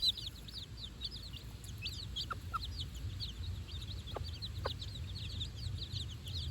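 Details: Four-day-old chicks out on fresh grass for the first time with their mother, giving a dense chorus of high, short peeping chirps that overlap constantly, with a few lower hen clucks and a steady low rumble beneath.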